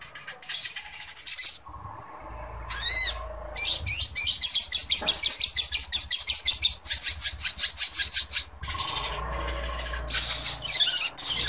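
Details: Lovebird-style song meant for training cage birds and boosting breeding readiness: a looping whistled sweep, then a long run of quick, evenly spaced buzzy chirps, followed by dense noisy chatter and a faint background hum.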